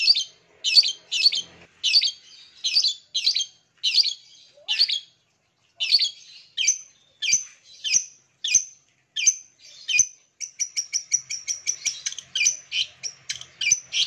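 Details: Long-tailed shrike song used to get silent caged birds singing again: spaced harsh chattering phrases roughly every half second, then a quicker string of sharp clipped notes toward the end.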